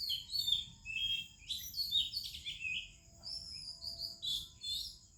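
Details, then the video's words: Oriental magpie-robin singing melodiously in an Indian morning chorus: dense string of sweet whistles, quick trills and downslurred notes repeated over five seconds, backed by an unbroken high-pitched insect hum. "ROBIN Chirping in the Morning"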